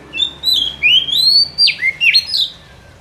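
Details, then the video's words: White-rumped shama singing as a forest trapping lure: long rising and falling whistles, a sharp downward sweep, then quick twisted notes, loud against faint background hiss. "Suara Pikat Burung Kacer ini Sangat Gacor, boleh di coba pikat di hutan"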